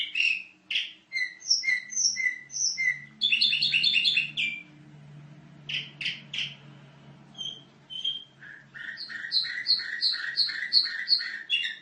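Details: Canary master song used as a training model for other canaries: quick chirps, repeated whistled notes, a buzzy rolling trill mid-way, then a fast run of evenly repeated whistled syllables; high and bright throughout.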